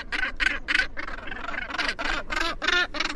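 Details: At the Helgoland nesting colony, a Northern gannet gives a rapid series of hoarse, grating barks, roughly three to four per second, over a faint low rumble.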